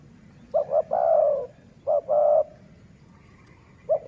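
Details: A dove used for luring wild doves in a town setting coos in low, hollow notes. Two short clipped notes lead into a longer drawn coo, and the pattern repeats, against faint background hum.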